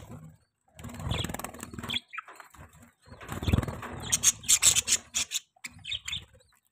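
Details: At breakfast time in the morning, pet budgerigars chirp: soft, rough chatter, then a cluster of sharp high tweets near the end, with a thumping or fluttering sound and a low hum.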